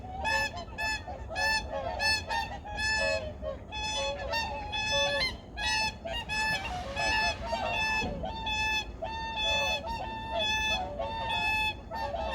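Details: Migratory birds at Junam Reservoir in Changwon, early morning, 2019: a dense chorus of many overlapping nasal honks, bursts repeated roughly every half second, with steady low background rumble throughout.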